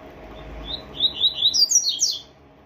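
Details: Tui-tui zel-zel style song from a captive double-collared seedeater: quiet start, then a string of short, clipped high notes stepping upward into a quick, bright twittering finish.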